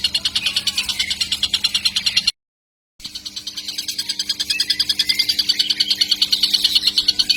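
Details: Young kingfisher chick calling without pause: rasping, high-pitched pulses repeated about three per second, broken by a short silent cut, then resuming slightly louder.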